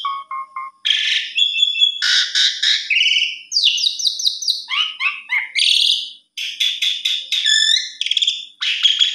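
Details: Melodious Asian pied starling singing almost without pause, played to get non-singing starlings going: dense stacked chattering notes, downslurred buzzy phrases and rapid trilled clicks in a long varied stream.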